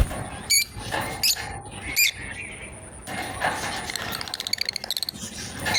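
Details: Pair of lovebirds playing together: three separate sharp, high chirps spaced well apart, then a rapid, rattling series of short ticking chirps building toward the end, over soft hiss.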